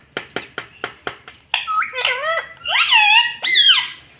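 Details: Pet talking parrot in a small room: a run of six sharp tapping clicks, then loud harmonic, speech-like squawked syllables rising and falling in pitch, ending in a strong nasal bent note.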